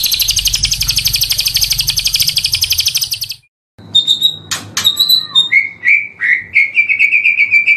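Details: White-rumped shama training song: a long, fast buzzy trill, a brief silence, then sharp clicks and varied whistled notes ending in a wavering, rolling whistle. A faint low hum underneath.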